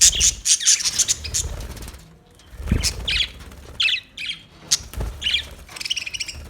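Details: Budgies chirping with fast high squawky notes, scattered thin rising whistles, and some low thumps like wing flaps.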